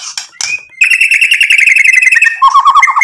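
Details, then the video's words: White-rumped shama in energetic song, used to rile up rivals; a few high chirps, then a long rapid trill with harmonics, ending in lower warbling notes. "MURAI BATU GACOR bikin EMOSI lawan jadi NYAUT BUNYI BONGKAR MATERI ISIAN ampuh buat PANCINGAN murai"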